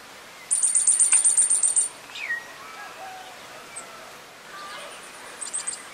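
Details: Yellow-faced Grassquit (subspecies olivaceus) in Viñales, Cuba, July 2017, giving a thin, very high, insect-like trill of about a dozen rapid notes, then faint chips, with another bird in the background.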